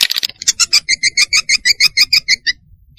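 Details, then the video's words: Swiftlet twittering, used to lure swiftlets: a rapid series of about fifteen short, high chirps, roughly six per second, each with a bright upper and lower tone. "Suara Burung Walet untuk Tarik"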